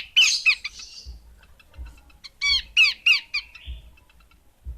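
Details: Harsh, squawking chatter from a female Horsfield's babbler, uneven bursts of descending notes with short gaps and low thumping sounds underneath.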